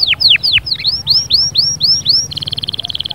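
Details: Canary song played to stir a silent canary: several curved, falling then arching whistles, then a very rapid, steady high trill.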